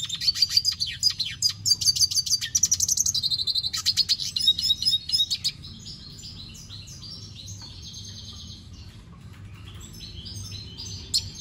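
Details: Red siskin song opening with a loud run of quick, high twittering notes and brief trills, then dropping to softer, quieter warbled phrases toward the end.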